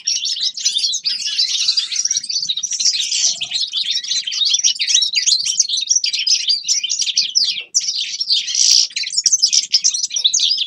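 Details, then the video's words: Forest birds singing in winter in a dense chorus, with high twittering chirps and quick trills overlapping almost without pause from start to finish. "Зимнее пение лесных птиц Winter singing of forest birds شتاء غناء طيور الغابة"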